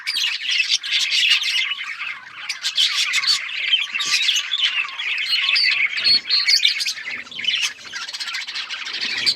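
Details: Continuous high chatter from many budgies: scratchy squawks, trilled warbles and quick chirps overlapping without pause for nine seconds.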